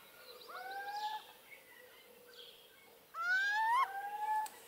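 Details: Little owl recorded in Hortobágy National Park, Hungary, in 2015, giving a soft level whistle followed later by a louder, rising, nasal hoot and a shorter closing note, with faint hiss between.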